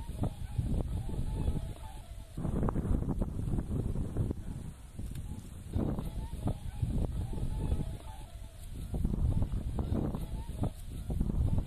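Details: Whooper swan flock, thousands strong, at a national wetland park in Dengkou County, Bayannur, Inner Mongolia, beside the Yellow River in spring; repeated trumpeting honks from many birds overlap irregularly above a loud low-pitched rumble.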